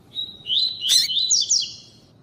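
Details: Double-collared seedeater singing its tuí-tuí song alongside a calling female, meant to excite males: a short whistled lead-in, then a lively chain of rising, buzzy slurred notes, cut by one sharp harsh chip midway.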